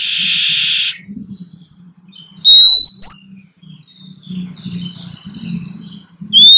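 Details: Wild female Oriental magpie-robin in breeding condition calling to attract the male, calls exchanged back and forth. A burst of hiss opens, then two loud upward-sliding whistles, with soft chirps between them and a low hum beneath.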